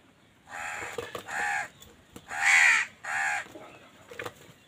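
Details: Four raspy caws in close succession, the third loudest, from crows fighting with wild birds over food; faint clicks and knocks in the background.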